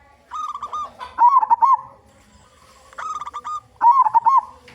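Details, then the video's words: Lure song of a loud local zebra dove from Indonesia. Two phrases, each a string of short stuttered notes leading into a bubbling, rolling coo, separated by a brief quiet gap. "Perkutut Lokal Gacor Suara Besar"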